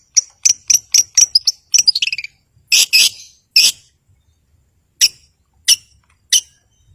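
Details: Long-tailed shrike in lively song, used to provoke rival and silent birds into singing. Sharp, high chirping notes repeat rapidly, then a quick trill follows, then several spaced, louder bursting calls.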